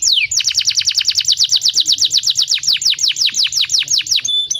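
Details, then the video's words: Canary song used to spur other canaries into singing; bright, fast, steady trill of falling whistled notes repeated many times, ending in a held tone. "kicau burung kenari"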